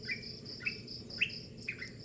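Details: Early-morning bird song of short, bright whistled notes falling slightly in pitch, four given at even spacing, set against a constant high buzzing drone.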